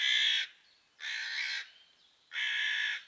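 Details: Three long, drawn-out raucous caws with a faint thin whistle between them, given by angry crows driving a female pine marten from their patch while dropping twigs on her.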